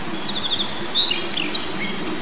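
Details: Male Daurian redstart singing in forest at 1300 m altitude, probably nesting, on 2 June 2019: a rapid jumble of high, thin twittering notes and short whistles. A low stream rush and wind run underneath.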